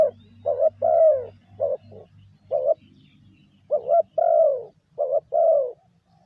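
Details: A spotted dove gives its lure call, meant to rouse decoy birds: mellow cooing in short-long pairs with falling long notes and a gap midway, over a steady low buzzing hum.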